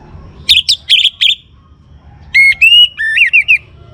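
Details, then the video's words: Young orange-headed thrush singing, used to prompt other birds to sing: three quick bright chirp clusters, a pause, then a run of clear whistled notes, some flat, some wavering, over faint low background hum. "ANIS MERAH Muda Gacor Untuk Pemancing Burung Berani Berkicau"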